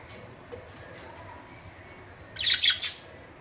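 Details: Pet budgerigars give a brief loud flurry of squeaky, warbled chirps after near silence.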